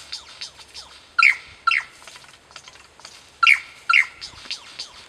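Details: Lyrebird copying kookaburras and laser guns: after some soft busy twittering, strong paired ringing notes arrive twice, about two seconds apart, with quieter chirps around them.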